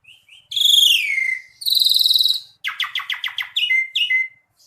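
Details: Lively song of an Asian pied starling: a loud, descending harmonic whistle, then a long rattling buzz, followed by a burst of rapid harsh notes and two sharp whistles ending in thin falling tones.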